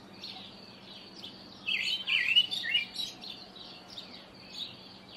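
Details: Karoo thrush recorded early in the morning gives a short, bright warbled phrase of rich rising and falling notes, set against steady chirping from other small birds.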